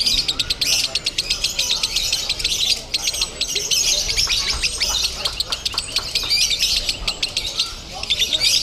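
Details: Lovebird singing at a contest in Bandung, labelled 'konslet crazy': an unbroken run of harsh, squawky, rapid chirps lasting over eight seconds, backed by constant crowd murmur.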